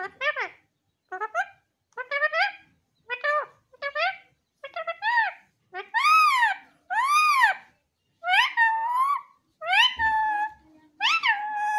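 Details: A pet parrot (mithu) talks in high, nasal, word-like phrases, about ten short bursts at roughly one-second intervals, later phrases louder and more drawn out; the bird reportedly says everything. No other sounds.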